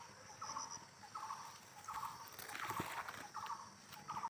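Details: A bulbul in a village, at a nest holding four eggs, gives short, harsh chattering notes, repeated roughly every second at a mid pitch, with a brief burst of rustling in between.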